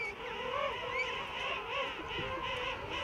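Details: King penguins at a huge rookery on Salisbury Plain give warbling, pulsing trumpet calls, the wavering notes swelling about twice a second over the constant drone of many other birds in the colony.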